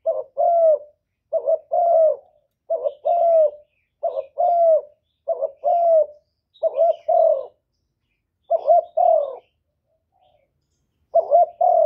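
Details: Spotted dove used as a decoy, cooing against a wild rival: about eight mellow three-note phrases in twelve seconds, each ending in a longer falling coo, paced irregularly with one longer pause.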